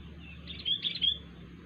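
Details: Wild sooty-headed bulbul giving an odd call: one short phrase of two or three bright, bubbly notes over a constant low background rumble.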